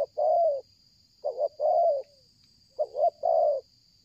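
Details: Strongly calling spotted dove used in bird luring: each phrase is a clipped double note followed by a sustained, slightly falling mellow coo, repeated every 1.5 seconds, with a steady high electronic tone in the background.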